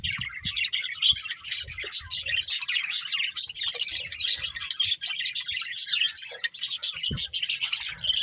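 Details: Pet budgerigars chattering in a steady stream of rapid, scratchy chirps and warbles, many overlapping voices, with an occasional sharp whistled note standing out and faint low thumps in the background.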